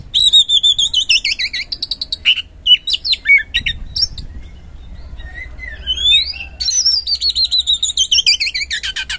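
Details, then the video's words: Oriental magpie-robin (kacer) singing in captivity, played as a lure to make quiet birds respond; rich whistled phrases that waver and fall, bursts of quick repeated notes, a short pause, then long descending warbled series. "Super Ampuh Pancingan Kacer Gacor Ngeplong | Cocok Buat Memancing Kacer Yang Malas Bunyi Auto Respon"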